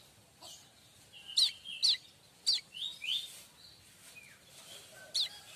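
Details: Streaked weaver, called manyar kembang, song used as tutor material for oriental magpie-robins and white-rumped shamas: sharp high downslurred chips and short level whistles, irregularly spaced, over a faint hiss.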